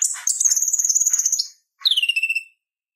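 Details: Purple-throated sunbird used to tutor other songbirds: a high rapid trill held for over a second, then a short descending series of pulsed notes.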